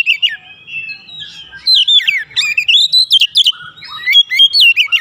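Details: Agitated Oriental magpie-robin pouring out its filler song: rapid, varied whistles and chirps, rising and falling, in dense bursts throughout, loudest in the second half.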